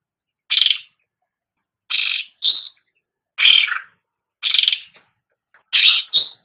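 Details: Cucak rante song used to train pet songbirds: loud, harsh, high chattering bursts, often doubled, repeated about every 1.3 seconds with clean silence between.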